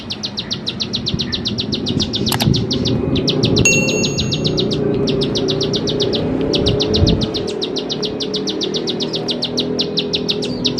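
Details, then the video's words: Bar-winged prinia song played as a lure for teaching young birds to sing: rapid strings of high, clipped notes repeated about four per second in bursts, with a steady low rumble of background noise throughout. "Ciblek Sawah Gacor || Memancing Ciblek Sawah Paud Belajar Bunyi"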